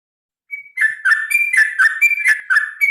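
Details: Sooty-headed bulbul opening with a thin high note, then launching into a fast, chattering fighting song of tumbling whistled notes, used to prompt birds to sing.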